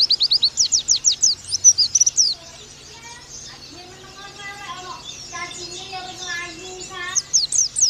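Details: Oriental white-eye, the pleci, sings a training song for the nembak style: two seconds of fast, high, slurred chirps. After that come fainter, lower, warbling sounds and more chirps at the end.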